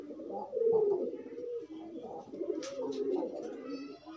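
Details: Pigeons courting and pairing while loose: a loud, drawn-out throaty coo that slides slightly downward, followed by softer rolling coos and a short click.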